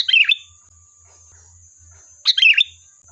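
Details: Sooty-headed bulbul song played as a lure meant to provoke a reply: two short bubbly warbled phrases about two seconds apart, with quiet gaps and a faint steady high hum in the background.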